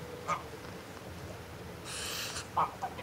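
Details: Adult greylag goose in a threat display: a short, breathy, broadband hiss lasting under half a second, set between brief nasal cackling honks near the start and end, over a faint steady background hum.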